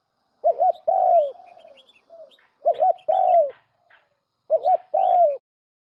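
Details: Trapped turtle dove of a pure Lao strain calling. There are three phrases about two seconds apart, each a short double coo followed by a longer, hoarse, falling coo. Faint chirps are heard between the phrases.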